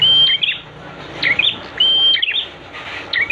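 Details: Prenjak singing, a master recording for bird training: each phrase opens with a long even high whistle, then breaks into rapid falling chips, repeated about every second.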